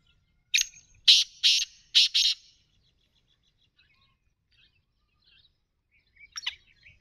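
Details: Black francolin, a kept bird, calling in a short series of five loud, grating high bursts over two seconds, followed by near silence and a faint chirping at the end.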